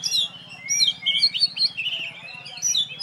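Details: Champion oriental magpie-robin in a cage, hung up alone to check its performance, delivers a fast stream of bright sliding whistles and twitters over a steady low hum.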